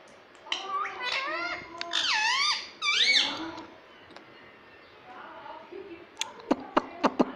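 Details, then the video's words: Indoor pet Indian ringneck parrot speaking: several wavering, harmonic word-like syllables in quick succession, then quieter chatter and a few sharp clicking taps at the end. "Talking Parrot"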